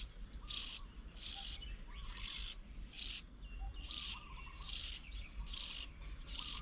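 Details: Oriental magpie-robins feeding young at a bird table stocked with papaya, bananas and oats in Hang Dong, Chiang Mai, Thailand, June 2022; a steady run of eight piercing high notes about once a second, with soft low twitters underneath.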